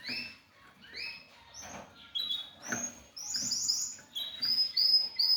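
A young canary-hybrid mule sings a rambling run of high whistled notes, buzzy trills and quick chirps, each phrase different, with no other sounds.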